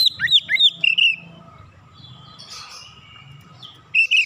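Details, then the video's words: Oriental magpie-robin calling with quick sweeping whistles and chirps at the start, a long quiet gap with faint low hum, then two more bright whistled notes at the end. "kicauan terapi Kacer memanggil"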